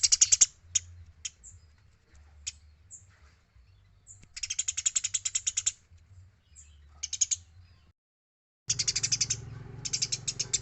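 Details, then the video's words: Eurasian tree sparrow chattering freely in a clean training recording for other songbirds: scattered single chips, then long rattling runs of bright, high notes, a short silent gap, and a final loud burst over a rougher low hum. "MASTERAN GEREJA GACOR SUARA BERSIH"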